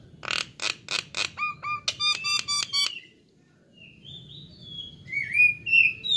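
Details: Nias hill myna song for training songbirds: a run of loud harsh pulsed notes, then evenly repeated nasal ringing notes, a short pause, and rising and falling clear whistles.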